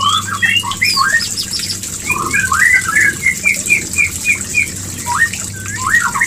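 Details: White-rumped shama mating-call lure for prompting pairs to mate: a fast, lively chain of short upslurred whistles repeated many times in quick succession, varied at the start and end, over a low steady hum.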